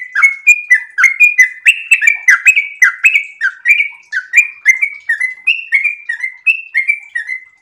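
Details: Sooty-headed bulbul in breeding condition singing a long, non-stop rapid song: bright, slurred whistled notes around two kilohertz, each rising or dipping, delivered about two or three per second without pause.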